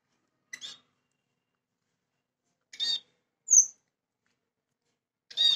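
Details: A pet scaly-breasted munia (spice finch) sings soft, high, scratchy bursts a couple of seconds apart and a single thin, very high, pure whistle, in a quiet indoor setting.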